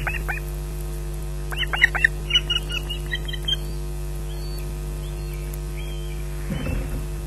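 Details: Osprey at its nest at Loch Garten raising an alarm at an intruder around a fish delivery at 15:37; a few sharp whistled notes come in a loose burst mid-clip over a steady low electrical hum, with rustling near the end.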